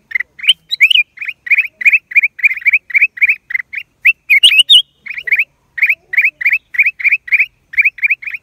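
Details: Black-crested bulbul, April 2023: a long series of rasping, rising chirps, roughly three to four a second, with a tangle of high thin squeaks just past the middle.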